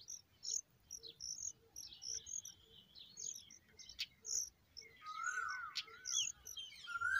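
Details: Hungry familiar chat chicks being fed by adults: thin, high, scratchy chirps in quick bursts, with a lower whistled note near the end and a steady insect chirp underneath.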